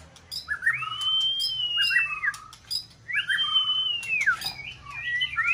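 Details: Caged White-rumped shama sings during its peak season to spur another bird to sing. Two long arching whistles, each starting with a short chatter and tailing into lower slurred notes, are separated by brief clicks.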